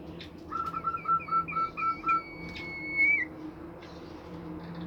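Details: Bimoli bird singing to draw other bimoli birds into song: a quick series of short paired whistled notes on two pitches, then a long steady high whistle that bends downward at the end, over low humming background.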